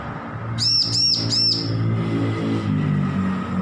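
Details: Young bar-winged prinia, weaned from hand-feeding, practising song: a single burst of three high, arched chirps in fast sequence, over steady low humming tones.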